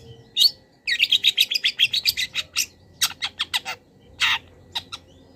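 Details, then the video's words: Long-tailed shrike master song with wild-bird fill-ins for training cage birds. A loud note is followed by a fast, steady trill of about a dozen chips, then harsher separate buzzy notes and a final rasping burst. "PENTET GACOR - MASTERAN PENTET FULL ISIAN BURUNG LIAR"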